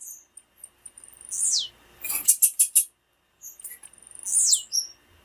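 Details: High, thin descending whistles from a female blue-black grassquit, used to excite males, with a short run of four loud, sharp chips in the middle and another falling whistle near the end.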